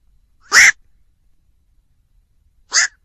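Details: Black-crowned night heron giving two short, harsh, croaking squawks about two seconds apart, the second softer and shorter, with silence between.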